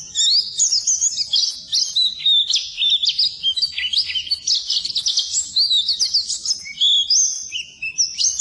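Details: Oriental white-eye singing for a training recording aimed at birds that won't sing; varied high warbling with sliding notes, trills and short whistled phrases, steady and lively.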